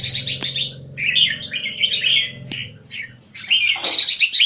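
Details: High-frequency keke singing by a caged Singapore Red-whiskered Bulbul: warbled bright phrases broken by sharp clicks, a short gap, then a renewed burst, with a steady low hum beneath.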